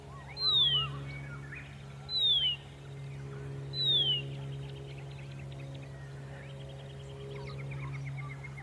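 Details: Early-morning song of Horsfield's bronze cuckoo, Dayboro, SE Queensland, Australia, November 2021: three high, downward-slurred whistles about 1.8 seconds apart, then quieter chirps and a trill from other birds, over a constant low hum.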